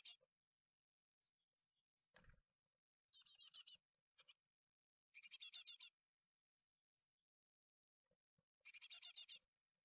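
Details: Great tits at Ostwald on 14 May 2021, fledglings leaving the nest: clean, high, buzzy rattling bursts of rapid pulses, each under a second, repeated roughly every two to three seconds, with a soft knock between.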